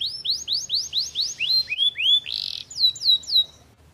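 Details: Canary singing a lively series of rising-then-falling whistled notes, roughly four per second, with a brief harsh buzzy burst midway before more clear upward-hooked whistles.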